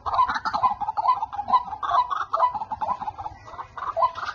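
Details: Male white-breasted waterhens calling all around a decoy-trapping spot; rhythmic grating croaks follow each other at about two a second, overlapping with more distant callers.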